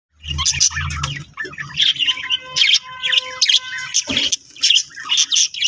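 A budgerigar chick gives harsh, rasping begging squawks in quick bursts while being fed.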